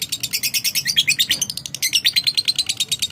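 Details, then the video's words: Lovebird answering another bird with fast high-pitched chattering, scratchy notes pulsing in an even run of about three per second throughout. "sekali purat love bird pasti nyaut"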